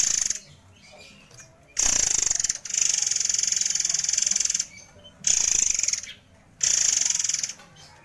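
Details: Murai air (white-crowned forktail) singing fast and dense, a contest favourite used as master song: sustained high rattling buzzes of one to two seconds, repeated with short pauses.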